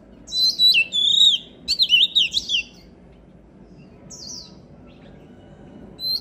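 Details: Oriental magpie-robin singing hard, for voice training: a burst of quick, looping whistles and trills, then a single high slurred note and the start of another phrase, over a steady low background hum.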